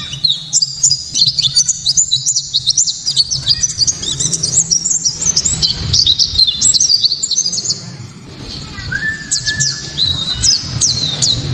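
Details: White-eye song in the loud, crisp 'tembakan' style, used to provoke other white-eyes and to tutor songbirds. Long, fast stream of high warbling chirps, a short lull, then renewed sharp notes, with a steady low hum throughout.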